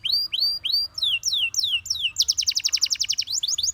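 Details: Gloster canary singing to encourage other canaries to sing: three rising whistled notes, then four falling slurred whistles, then a rapid even trill of short notes about twelve per second, all high and clear with faint low background hum.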